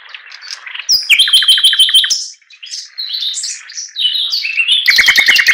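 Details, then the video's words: A Chinese hwamei sings a loud, varied song: rapid trills of repeated clear whistled notes, then warbled phrases and a fast burst of bright repeated notes, with no other sounds. "TIẾNG CHIM HOẠT MI HÓT LÍU LO"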